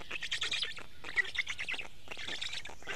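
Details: At an Estonian nest in early morning, 29 May 2018, Black stork chicks beg as the parent brings fish; scratchy, quickly repeated wheezing pulses in two bursts.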